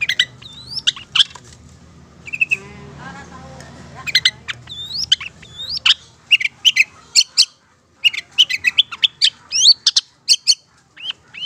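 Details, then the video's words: Madura-type Long-tailed Shrike, a master recording of lively song: scattered upward-sweeping whistles and sharp ticking chips, with a brief low, noisy rumble early on before the notes come faster and denser. "Masteran Suara Cendet Pentet Madura GACOR Cocok Untuk Pancingan"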